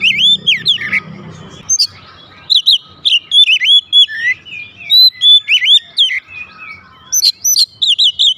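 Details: Pet oriental magpie-robin responding loudly with varied whistled song: looping slurred notes, a long even whistle, and quick high chip series repeated through the phrase.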